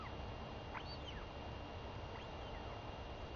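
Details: Hungry royal albatross chick begging from its mother at feeding time, 23 May 2021; two high arched whistles, swooping up and down, over a background of continuous wind rumble.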